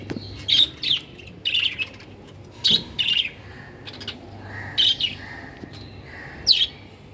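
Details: Budgerigars, also called parakeets, giving short chirpy calls in bursts every second or so, each burst a cluster of high warbled notes with quieter chatter between and a low hum in the background.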